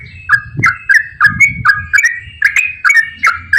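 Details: Yellow-vented bulbul in lively, frequent long ropel song, played as a lure for bulbuls that rarely sing: bright bubbling notes repeated about three per second, each with a quick upward flick, over faint low rumble.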